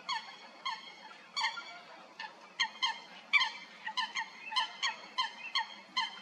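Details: Coots fighting at Stodmarsh in Kent, UK, giving sharp nasal honks, some doubled, in irregular volleys over six seconds, with faint background hiss.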